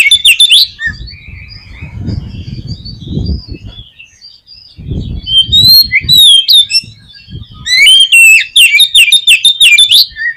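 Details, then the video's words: Oriental magpie-robin song played to provoke a pet bird into singing: loud, varied whistled phrases and rapid chattering trills, bursts of sharp repeated notes, with low rustling or clattering noises between phrases. "KACER KURANG EMOSI ?? PUTAR SUARA INI DI JAMIIN KACER KALIAN AUTO BONGKAR ISIAN"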